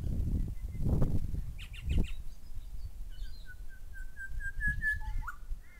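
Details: Calling pair of grey shrike-thrushes, one giving a long run of evenly spaced whistled notes that rise slowly and end in a swooping drop. Short chirps and heavy low rumbling come earlier.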